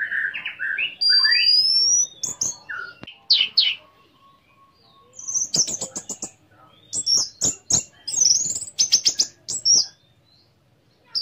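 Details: Lure song of an orange-headed thrush meant to set others singing; opens with rich warbled phrases and a long high whistle, then bursts of clicking, high chips and fluty notes separated by short pauses.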